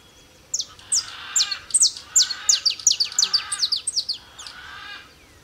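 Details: A male Saffron Finch (Sicalis flaveola), free in the wild at Tupi Paulista, São Paulo, sings a fast string of sharp, high chipping and downslurred notes, about three per second, rising and falling in bright bursts over a quiet background.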